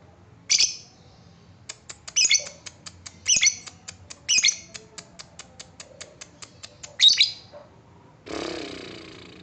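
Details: Lovebird ticking, ngetik style, used as a lure to set off lovebird trills: quick high clicks interrupted by several short harsh squawks, ending with a rough broad rustling noise.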